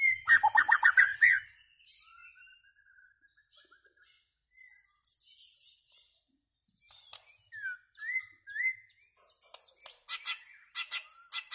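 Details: White-rumped shama singing a varied song: a loud rapid chattering burst at the start, then slurred mid-pitched whistles, thin high notes and sharp repeated clicking notes near the end, separated by short pauses.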